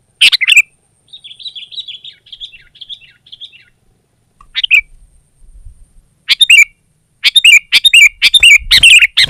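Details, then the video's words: Sooty-headed bulbul singing against a rival: a loud burst of chirps, then a soft wavering thin warble, a single call, and a closing run of rapid sharp chirps. "Suara Burung Kutilang Gacor Menekan Lawan Terbaik || Burung Kutilang Lain Emosi Dan Ikut Gacor"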